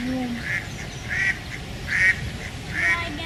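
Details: Four nasal duck quacks spaced about half a second to a second apart over a steady low rumble of background noise.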